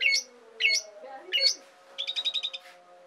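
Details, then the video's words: Asian pied starling in full, lively song, a recording meant for tutoring and prompting other songbirds: three loud, harsh chirping notes at half-second intervals, a lower gurgle, then a rapid rattling run of about seven clipped pulses, with a faint steady hum behind. "JALAK SUREN GACOR COCOK BUAT PANCINGAN DAN MASTERAN BURUNG KICAU"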